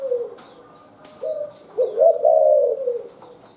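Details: Wild spotted dove with a rapid calling style: soft low coos at the start, then short coos at about 1.2 and 1.8 seconds, leading into a long, loud, wavering coo. Faint chirping of other small birds behind.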